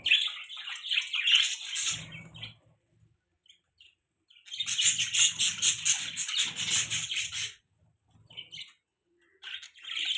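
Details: Budgerigar chirping in bursts of rapid, buzzy, high chatter, a long busy run in the middle, with soft low fluttering sounds beneath the calls.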